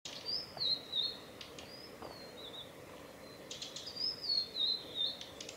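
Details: Male blue-and-white flycatcher giving calls on the Mizusawa forest road in Tanzawa, Japan, on 8 June 2020: clear whistled phrases gliding downward, repeated after a pause, with soft background noise.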